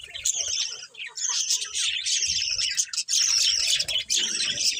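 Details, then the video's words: Colourful pet budgerigars chirping loudly, steady high warbled chatter with clear whistled notes and harsh buzzes, broken by a couple of short pauses, and faint low rumbling below. "Beautiful Colourful Budgies Chirping Sounds"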